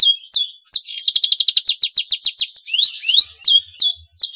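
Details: Male canary in breeding condition singing to stimulate rival canaries to sing: high, fast trills of rapid repeated notes alternating with sweeping whistled slurs, all bright and shrill.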